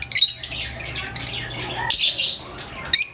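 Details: Quick, high-pitched lovebird chirps in a rapid stutter, then a harsh squawky burst and a final sharp chirp.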